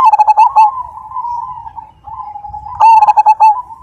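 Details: Zebra dove of the Majapahit type, kept for its big voice, opens with quick pulsed coos, then holds a long low steady hum before another rapid run of stuttered, resonant coos.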